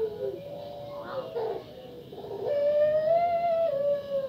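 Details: Female Barbary dove (Streptopelia risoria) gives soft, hollow coos, then one long, steady, slightly wavering note; used as a lure to prompt other doves into calling.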